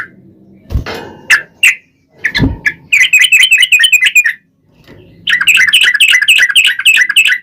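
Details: Sooty-headed bulbul in long rolling song, played to draw other bulbuls into singing. A few loose notes and thumps lead into two bursts of quick, tightly packed chattering whistles with a brief gap.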